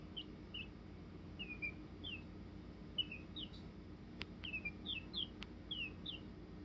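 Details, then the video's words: Chicken singing: a quiet run of short, downslurred high peeps repeated irregularly, about two per second, with a few sharp clicks and a steady low background hum. "Chicken singing"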